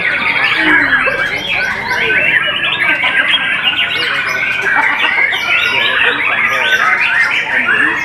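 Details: A white-rumped shama pours out a loud, nonstop jumble of sharp chattering notes and brief whistled sweeps, bright and high-pitched, layered densely across all eight seconds.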